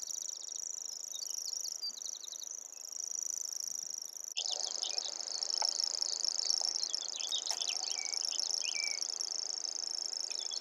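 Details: Continuous grasshopper warbler song, a sustained high, dry, cricket-like reel of rapid even pulses that grows louder partway through, accompanied by occasional short whistles and chips from other birds.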